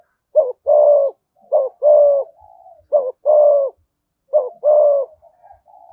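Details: Spotted dove in Dong Nai, Vietnam, giving a fast 'thúc gù' perch-coo in the 'thổ' voice style: a short rising note, then a long falling coo and softer trailing hums, phrases repeated about every 1.5 seconds.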